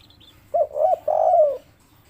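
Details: Local spotted dove giving a 'kuk 3' style coo: three low, hollow notes. The first two are short, and the last is longer and slightly falling. Faint low rumble underneath.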